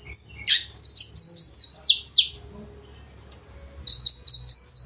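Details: Oriental magpie-robin singing loudly to rouse rivals into song and tail display: rich warbled phrases of repeated high notes in a quick run, a short quiet gap, then another fast burst.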